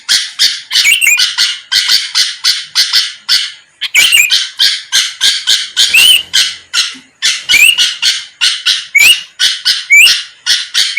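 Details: Sooty-headed bulbul singing energetically as bait to make rival birds respond; long runs of rapid rasping bursts, several spiced with upward-sweeping whistles, briefly broken twice before resuming.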